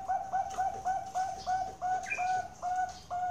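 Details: Perkutut Bangkok, a zebra dove bred at a bird farm in Kroya, Cilacap, Central Java, giving a sweet song: a steady string of short, mellow, bubbling coos, about three to four per second, all on one pitch.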